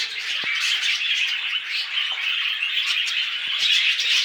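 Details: Pet budgerigars calling while mating: dense, continuous warbling chatter with rapid chirps and scratchy squawks, steady throughout with no pauses, a few low clicks in the background.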